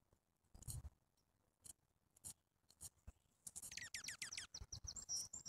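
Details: Grey-headed junco: a quick series of about ten steeply falling notes, followed by a few higher short repeated notes, amid frequent dry clicking and tapping noises.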